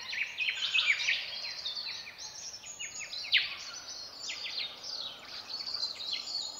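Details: Flock of silvereyes singing at dawn in the southwest: continuous high, sweet warbling and quick twittered phrases overlapping from many birds, with a sharp louder note partway through.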